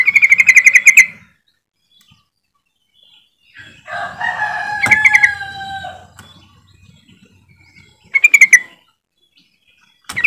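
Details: Yellow-vented bulbul (trucukan) call used as a lure to prompt silent birds to sing: a quick bubbly burst of about eight pulsed notes at the start, a lower harsh harmonic call midway, then another short chattering burst near the end.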